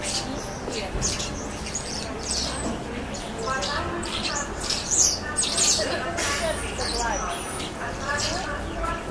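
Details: A dense flock of common starlings at Yaroslavsky railway station in September 2013 chatters without pause, with squeaky whistles, clicks and rasping notes overlapping throughout over a steady hiss of city noise.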